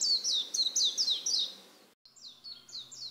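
Warbling white-eye song: high, thin, quickly falling slurred notes, about four a second, then a short pause and a softer run of similar notes.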